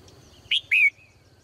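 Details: Cheerful morning song of a female bird kept in a cage: one bright double chirp, a brief sharp note followed by a longer, slightly falling whistle-like note, then a faint trailing tone.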